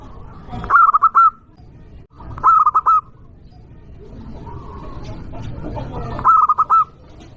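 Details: Zebra dove of a local strain, calling loudly to provoke rivals. Three bursts of quick, bubbling coo notes come at roughly two- to three-second gaps, with faint softer cooing between them and a low hum beneath.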